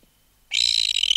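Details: Red-billed tropicbird adult, removed from its nest, recorded close up giving an alarm call: half a second of silence, then a sudden harsh, shrill, raspy scream held steady at a high pitch with a bright tonal edge, continuing to the end.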